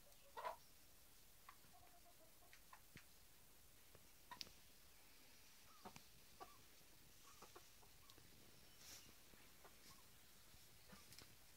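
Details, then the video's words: Piñeira hens, a domestic chicken breed kept by their owner; a short burst of soft clucking near the start, then sparse quiet clicks and scattered faint clucks over a low background hiss. "Gallinas "Piñeiras""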